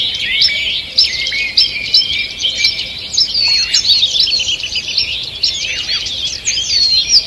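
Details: Morning chorus of wild birds in a forest, recorded 2 June 2023: dense overlapping high chirps, trills and whistled notes from many birds, continuous throughout with no other clear sounds.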